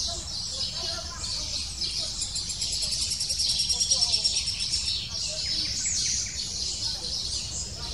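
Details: Lesser spotted woodpecker (Dendrocopos minor) chick calling insistently from the nest as the female arrives to feed it, excited by her presence: a rapid, high, scratchy stream of repeated chirps that swells in the middle.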